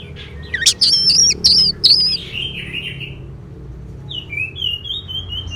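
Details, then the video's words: Orange-headed thrush song used as a playback recording to coax silent birds into singing: loud, rapid warbled phrases with sharp high notes during the first two seconds, followed by softer, lower whistled phrases over faint background hiss. "Suara ANIS MERAH"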